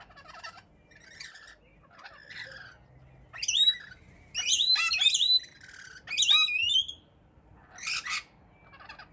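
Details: Noisy wild rainbow lorikeets at a Melbourne balcony in Australia burst into shrill, harsh screeches. The loud clusters are separated by quieter chatter, in a mostly clean background.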